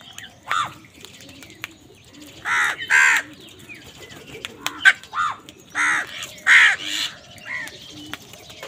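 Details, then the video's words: Crows angered while wild birds fight them over food give a series of loud, harsh, hoarse caws, singly and in close pairs, spaced irregularly over several seconds, with faint chirps and background noise between. "Angry kawa ki awaaz"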